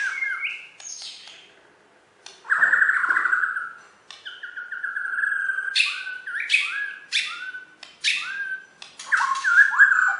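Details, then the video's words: Champion Bornean white-rumped shama from West Kalimantan delivers a loud buzzy warble, then level whistles broken by sharp high clicks, ending in bright rising and falling phrases. "Video Burung Murai Batu Borneo Juara Di KalBar"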